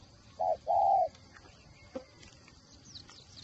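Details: Decoy spotted dove with a 'còi' voice utters a short pair of low, soft coos, the second longer and fuller, followed by quiet background with faint high chirps.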